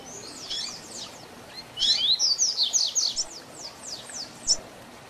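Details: Tutor song of a double-collared seedeater in the 'tui tui zel zel' style, played to teach young birds: scattered high chirps, then a rapid burst of bright, sharply slurred notes about three per second, fading into softer trailing notes over light hiss.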